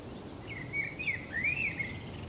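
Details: Common blackbird singing on the Camino de Santiago in Zamudio, 28 March 2019: one fluty, warbled phrase that rises and falls, with a faint thin high note above it and a low background hum.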